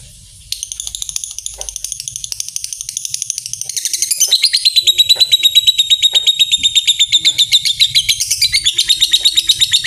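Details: Lovebird 'ngetik' chatter running into a long 'ngekek' trill, a master call for training other lovebirds: nearly ten seconds of rapid, steady pulsed notes, growing louder midway and holding a flat, high pitch.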